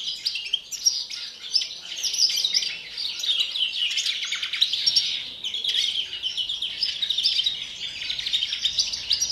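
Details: Pre-breeding song of a European greenfinch, an unbroken stream of fast, high twitters and rattling trills running through the whole stretch, steady in loudness with quick sharp notes mixed in.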